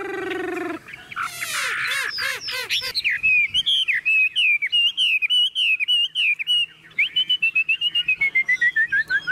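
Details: Hand-held caged Chinese hwamei, a tame bird, in strong song. It gives varied warbled and fluty notes, then long runs of loud looping whistles repeated several times per second, pausing briefly before a falling whistled series.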